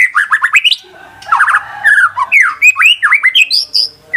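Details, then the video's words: White-rumped shama song to provoke another bird into singing: quick rising whistled notes, harsh chatters and slurred phrases, lively and varied. "murai batu macet bunyi ikut terpancing emosi langsung gacor"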